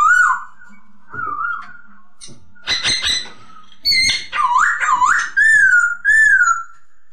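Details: Masked laughingthrush song, used as a training recording for other songbirds: clear whistled phrases, slurred up and down with rolling loops, some short harsher notes between, in a quiet indoor setting.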